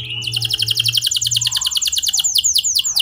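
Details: Canary giving a clear rolling song intended to get other canaries singing: a rapid bright trill of repeated high notes, ending with a few slower sharply descending whistles.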